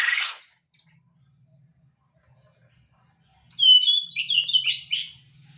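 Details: Quail in full voice, giving a run of high, sharp, descending chirps in quick succession after a brief rough note and a long pause.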